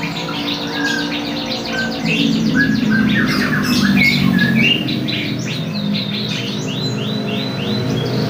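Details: Young canary practising its song: varied chirps, short slurred whistles and fast rattling trills in uneven bursts, with a low rumbling hum underneath.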